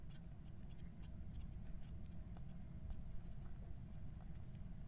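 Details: Brood of twelve growing Eurasian blue tit nestlings wanting to be fed, giving very high, thin squeaks in quick, overlapping bursts, several chicks at once, over a steady low rumble.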